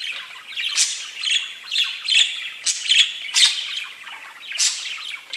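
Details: Chirping pet budgies make a continuous scratchy chatter. Loud squeaky notes pulse out about once a second over a steady bed of high warbling.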